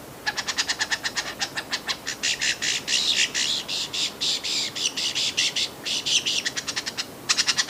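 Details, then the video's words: Lyrebird singing: a fast run of sharp, bright, rattling notes delivered in quick repeated bursts with brief pauses, high-pitched throughout, over a steady low background hiss. "lyrebird birds just amazing singing"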